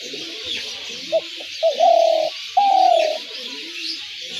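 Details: Spotted dove calling, a sound used to lure doves into traps: two brief soft hoots, then two long, low, steady coos about a second apart, over a constant high insect-like hiss.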